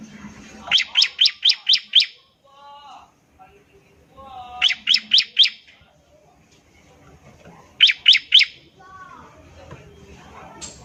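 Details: Bar-winged prinia giving its ngebren trill as a lure to start other prinias singing. Three fast bursts of five, four and three piercing notes, each fading, with faint soft downslurred chirps in the gaps.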